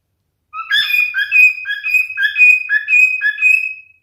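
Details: Male cockatiel singing a single phrase of clear, melodic whistles, alternating short dipping notes with longer level tones, ending in a drawn-out whistle.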